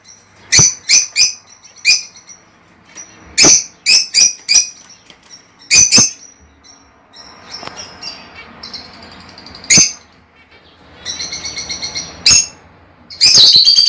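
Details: Lovebird calls used to stimulate a female to lay eggs. Sharp, shrill chirps come in scattered pairs and triplets, with softer squeaky chatter between them and a loud burst of chirping at the end.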